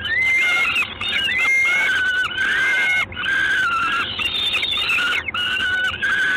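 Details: Peregrine falcon, recorded in Gdańsk at 19:47 on 3 June 2016, uttering a series of grating, whining cries, some sweeping upward, others held flat, almost continuous with only short pauses, over constant hiss.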